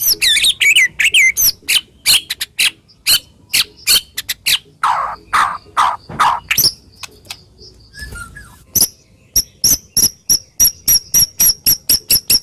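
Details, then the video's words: White-rumped shama delivering rough, sharp lure song for silent shamas: varied warbles, clicking notes and a few low rasping phrases, ending in a long series of evenly spaced high ticks about once per second. "Masteran Burung murai Batu Full Tembakan Kasar Dan Tajam"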